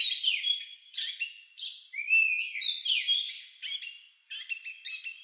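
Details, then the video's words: Oriental magpie-robin (kacer) with an unusual lovebird-like song used as a lure: separate bursts of harsh buzzy chatter and a bright rising whistle, ending in crisp quick chirp series. "Suara Burung Lagu Unik Kacer Ini Cocok Untuk Pancingan"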